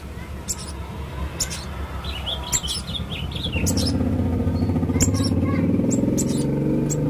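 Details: Male blue-crowned hanging parrot singing busily, a string of short, thin, high chirps and twittering notes, while a steady low mechanical hum grows louder partway through.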